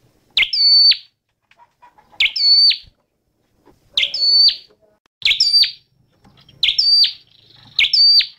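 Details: A red-headed flowerpecker gives six thin, very high, sharp phrases, each a quick buzzy chip with a level whistle, repeated about every one and a half seconds.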